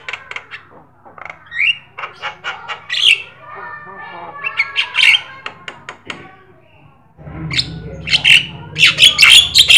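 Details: Jalak kebo or jalak sungu, black-winged starling, gacor song used to stimulate other songbirds: scattered clicks, harsh squawks and short whistles, growing louder and denser toward the end over a low background hum.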